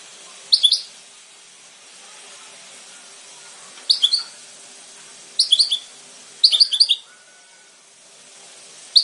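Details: Goldfinch calls: short bursts of bright, high twittering notes, each lasting under half a second, repeated every one to three seconds over a quiet background.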